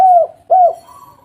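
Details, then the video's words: Lure call of a local spotted dove meant to prompt reluctant birds to call: two short mellow coos, each dropping slightly in pitch, then a faint steady hum. "pancingan maut tekukur derkuku lokal gacor burung malas bunyi langsung gacor"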